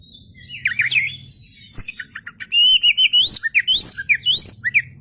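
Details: Oriental magpie-robin, a lure recording of a bird singing with its tail spread: twisting whistled phrases, then a long run of loud, rising and falling whistled notes.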